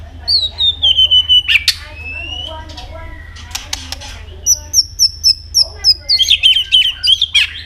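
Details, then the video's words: White-rumped shama, competitive singing: a descending whistled slide, scattered clicks and sharp notes, then a rapid series of high repeated chips about five per second. "chòe lửa hót đấu đập đuôi căng lửa"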